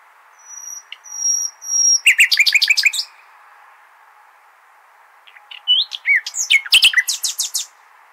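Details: Nightingale song of the Al-Hasaniya type, meant to teach goldfinch and hybrid chicks. Faint high whistles give way to a burst of rapid notes. After a pause comes a second jumbled phrase of chirps.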